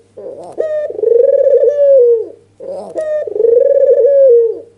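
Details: Albino Barbary dove with red eyes, worked up and nodding, calling to goad rivals into answering; a pair of throaty purring coos about two seconds apart, each starting with a sharp lead-in and sagging downward at the finish, soft constant hum beneath.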